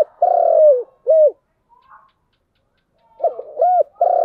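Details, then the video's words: Spotted dove giving giọng đồng style coos: a long, falling, throaty note and a short arched one, a quiet gap, then a stuttering lead-in, a rounded coo and another long note. "Cu gáy giọng đồng"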